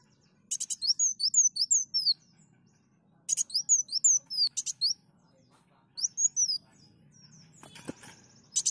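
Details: Sunbird (kolibri daun) song used to lure birds: bursts of rapid, thin, high whistled slurs alternating with harsh buzzy notes, three phrases separated by short pauses, with a faint low hum behind.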